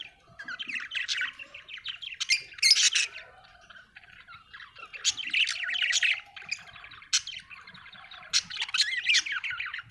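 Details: Budgerigars chirping and warbling, dense bursts of rapid buzzy, scratchy chatter and short high chirps, rising and falling in loose phrases separated by brief quieter gaps.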